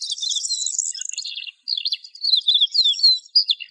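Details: Unbroken high lark song of buzzy trills and quick rising and falling whistled notes, pouring out at a brisk pace.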